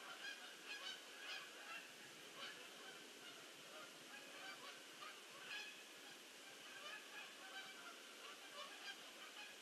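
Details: Large flock of geese coming in to land on 22 October 2015; steady mass of overlapping nasal honks with a few louder calls standing out, under a constant hiss.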